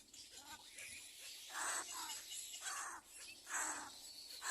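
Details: Hungry little egret chick at a second nest calling to its parents: a few harsh, croaking squawks, each about half a second long, spaced roughly a second apart over faint hissing background.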